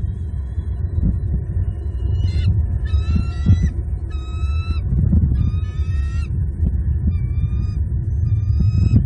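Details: Wild Bald eagles at their nest in Southwest Florida on 5 February 2022, caught by a live nest camera as the adult female feeds two eaglets a fish brought by the male; thin, high piping chirps come in repeated short series over loud low rumbling noise.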